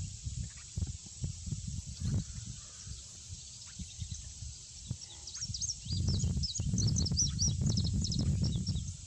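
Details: Male Indigo Bunting song: a hurried series of thin, high paired chirps and slurred notes in the second half, with a constant shrill insect hum above and low-pitched rumble and knocks below.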